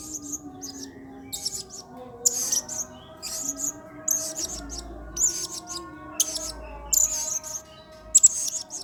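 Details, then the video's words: Lively blue-crowned hanging parrot, 'gacor' and full of emotion, singing 'main singa' as a training model for other songbirds. Clusters of shrill, high, buzzy chirps come every second or so over a faint droning hum. "MASTERAN WAJIB !! BURUNG SERINDIT GACOR PENUH EMOSI MAIN SINGA"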